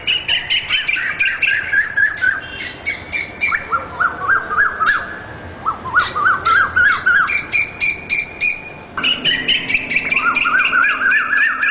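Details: Asian koel calling in rapid, excited runs of harsh, ringing notes that rise and bend. Bursts repeat several times a second, with brief pauses and abrupt restarts between runs.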